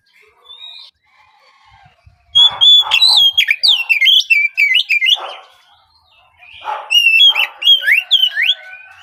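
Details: Morning song of an Oriental magpie-robin, a spotted young bird, played to coax other birds into singing: a rapid run of sharp whistled notes and trills, a quiet start, then two loud bursts.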